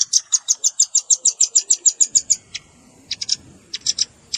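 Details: Velvet-fronted nuthatch lure call mixed with juvenile calls: a fast, regular string of about fifteen shrill high chips over two and a half seconds, then quieter grouped chips after a short pause.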